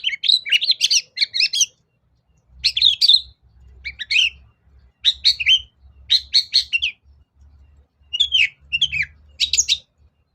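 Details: Energetic Long-tailed shrike song for luring shrikes into answering: clusters of harsh, rattling chatter and scratchy, mimic-like phrases in bursts of one to two seconds, separated by short silences.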